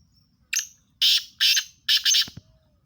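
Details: Sindhi teetar, a black francolin, gives a loud grating call of five harsh, broad, rasping notes over about a second and a half, the final two nearly joined, followed by a couple of low knocks.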